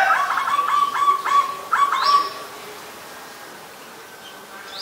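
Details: Adult zebra dove recorded in Ubon Ratchathani, Thailand, on 28 December 2020: a run of quick, pulsed mid-pitched coos repeated several times a second, fading out after two seconds, with thin high chirps from other birds.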